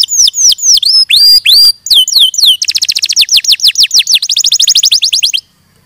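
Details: Canary delivering clear descending whistled slurs and looping notes, then switching to a fast series of sharp downswept chips that stop abruptly into silence.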